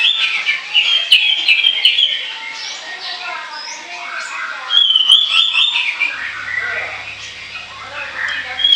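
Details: Orange-headed thrush delivering ngoceh chatter for use as a lure: fast high warbling and thin whistles, a louder rippling phrase midway, and a faint low hum in the final seconds.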